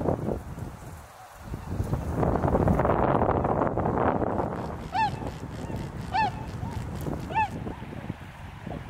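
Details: Tundra swans in Azumino, cold and cloudy at -4°C with snow on the ground, in a year when the flock seemed larger: after a stretch of rushing noise, three clear nasal, harmonic whooping calls ring out about a second apart.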